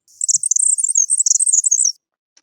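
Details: A paired male Florida Grasshopper Sparrow on the DeLuca Preserve, Florida, gives its warble: a very high, thin jumble of rapid tinkling and squeaky notes running nearly two seconds, a complex song only paired males sing.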